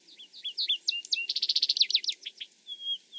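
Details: An eastern North American Vesper Sparrow sings a song lower than a Song Sparrow's: a few slurred, whistled opening notes, then a fast, buzzy trill of rapid repeated notes, ending in a thin, high whistle.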